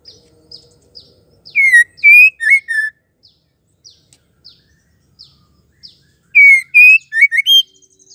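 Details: Female white-rumped shama call for prompting males to sing: a four-note loud whistled phrase, falling, rising, then two short slurs, repeated about four and a half seconds later, with soft high chirps between and a faint hum early on.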